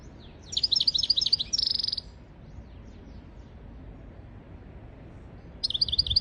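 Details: European goldfinch song used to tutor goldfinches and canaries: a quick run of high twittered notes ending in a dense buzzy trill, a long quiet gap, then another twittering burst begins.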